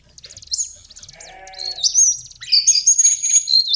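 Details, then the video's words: Lesser shortwing (cingcoang coklat) singing: high, thin whistled phrases and rapid trills, with a lower harmonic bleat-like sound in the middle. "Master Pancingan Burung cingcoang/jongkangan coklat"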